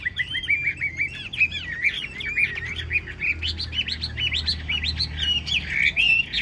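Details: A tame hwamei in a carried cage sings a rich run of quick, slurred whistles, bright looping notes tumbling one after another with barely a pause, and faint low rumble beneath.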